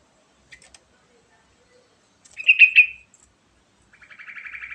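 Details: Sooty-headed bulbul, sung as a lure to get other birds singing: a few faint notes, then a loud bubbly phrase, then a fast even trill of repeated notes at the end.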